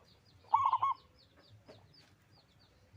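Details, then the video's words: A local zebra dove in active song gives a single loud phrase of quick, rolling coos lasting about half a second, then falls quiet. Faint high chirps of other birds are heard around it. "Perkutut lokal gacor suara besar"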